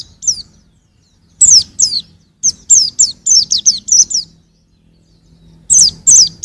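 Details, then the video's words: White-eye, a young bird, recorded in 2021, gives short series of sharp, high, descending chirps delivered quickly, separated by brief silences, over a faint low hum. "suara burung pleci masih muda"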